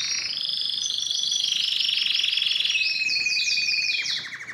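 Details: Belgian canary song for stimulating females to breed; a low pulsing rolling trill with higher sweeping notes overhead, ending in fast descending slurred phrases.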